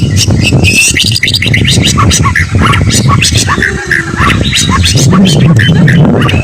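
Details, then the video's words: White-rumped shama, called a fighter with strong temperament and good song material, producing a busy stream of rapid chattering and whistled notes amid low rumbling background sound. "burung murai batu fighter mintal baja materi ok"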